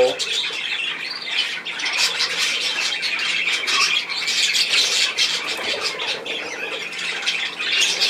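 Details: Budgerigars indoors giving dense, continuous high chattering, with overlapping scratchy chirps and squawks running without pause.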